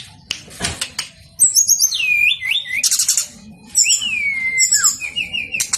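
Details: Persistent male brown-chested jungle flycatcher song, used to trigger singing in other birds: clear whistles glide downward in wavy slurs, interspersed with dense high chattering bursts and short repeated notes.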